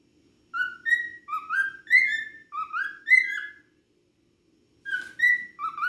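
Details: Cockatiel singing a lot: a string of clear, rising whistled phrases with bright overtones, each slurring upward, then a pause and a fresh run of similar whistles over a faint low background hum.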